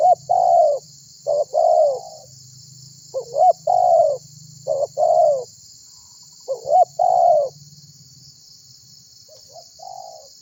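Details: Lure call of a spotted dove (tekukur) inviting other birds to sound off: five paired coos, short rising then long falling, spaced irregularly, ending with a faint coo; high insect buzzing and low hum throughout.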